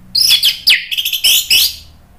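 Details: Orange-headed thrush singing loudly in captivity to provoke other birds: a tight run of high, rasping, warbled notes with quick downward slurs, about two seconds long.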